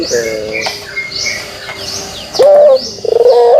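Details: Short, deep rolling coos of a pelung dove in kugeruk style, two bursts in the last second and a half, with thin high chirps of other birds in the background.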